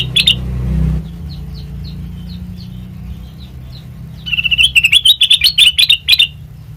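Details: Sooty-headed bulbul song for training birds as a lure: a short chirp burst, faint distant notes, then a rapid two-second chatter of sharp repeated chirps.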